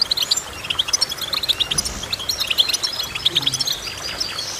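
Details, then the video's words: A goldfinch sings a lively series of clipped, metallic chirps and tinkling notes, grouped in quick runs of two to four with short gaps between. "Goldfinch Chirping"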